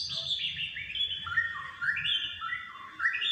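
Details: Pet white-rumped shama, loose on a sofa and reluctant to enter its hanging cage, sings a stepped series of clear whistled notes dropping in pitch, then repeated paired whistles, over faint low household rumble.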